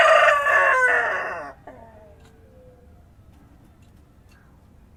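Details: Dawn crowing from a countryside rooster, caught mid-call: a loud, buzzy sustained phrase that falls and fades after about a second and a half, leaving quiet rural ambience with a faint, thin trailing note.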